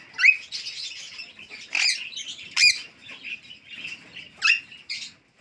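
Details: A pet Alexandrine parakeet, described as a talking parrot that speaks Urdu and English, gives harsh, raspy squawks and chattering bursts, about six strong phrases in five seconds, with softer gravelly murmurs between.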